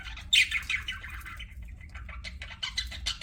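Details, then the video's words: Budgie chirping with a loud scratchy squawk near the start, followed by quieter rapid chattering notes and a few short chirps toward the end, over a low hum. "BUDGIES CHIRPING SOUND"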